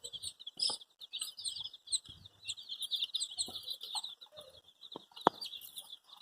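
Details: Baby chicks, artificially coloured red, yellow, green, pink, purple, orange and white, peep for their mother in quick, piercing bursts of overlapping calls, with scattered thumps and clicks between them in otherwise quiet surroundings.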